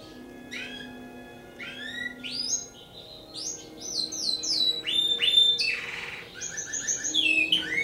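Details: Timbrado canary from a breeder, singing a varied song of rising and falling whistled notes and short rolling trills in quick succession, with a brief buzzy burst midway and a steady faint low hum beneath.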